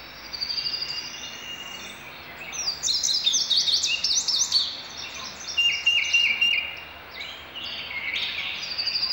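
An Indigo Bunting sings bright, high, sweet notes in quick paired phrases, stepping down in pitch toward the end, over a faint steady background hiss.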